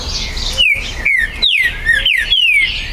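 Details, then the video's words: Green-winged saltator recorded at a breeder's site in Brazil on 19 September 2020, singing to provoke territorial rivalry: crisp descending whistled notes, about five in three seconds, over a soft hum and other faint birds. "ESQUENTE MUITO seu TRINCA FERRO"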